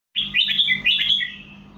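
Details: Red-whiskered bulbul singing a short bright phrase of quick warbled, up-and-down whistled notes, with a steady low hum underneath.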